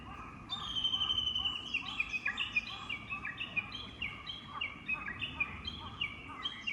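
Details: Japanese bush warbler in a Tokyo woodland at Oyamada Ryokuchi in late-April spring rain: a long high whistle followed by a rapid run of short stepped notes repeated about four times a second, with other small birds chirping behind.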